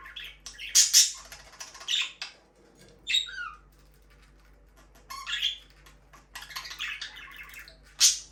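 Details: Budgerigar chirping in loud scratchy bursts broken by short silences, with one clear falling whistled note midway, then more buzzy chatter and a sharp final chirp.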